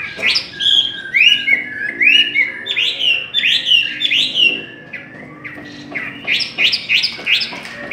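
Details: Chinese hwamei in a singing contest, loud varied phrases of rich whistled notes and slurred upsweeps, several repeated in quick series, followed by a run of sharp rising notes near the end.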